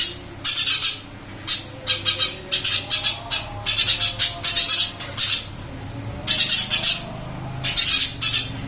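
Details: Eurasian tree sparrow kept in a cage, lively after moving to a new one, giving scratchy chirps in quick runs and groups, with brief gaps between bursts; a faint low hum runs underneath in a small room.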